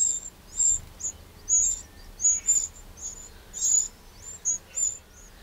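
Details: In a Burgundy garden in the Châtillonnais, France, on 2 June 2023, a Eurasian wren utters isolated, very high, sharp ticking notes, singly or in quick pairs, separated by short quiet gaps.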